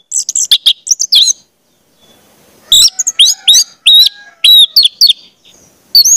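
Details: Orange-headed thrush song for training young spotted birds: fast, high, varied chirps and whistled notes in two dense bursts with a silent pause between, finishing with a short sharp phrase.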